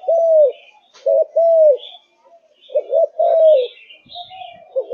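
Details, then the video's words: Kept Malaysian spotted dove cooing: mellow arched coos, some preceded by a quick stuttered note, spaced unevenly over a few seconds, with soft chirps and twitters from other birds in the background. "Cu Gáy Malaysia Căng Lửa, Chơi Từ Sáng Tới Tối"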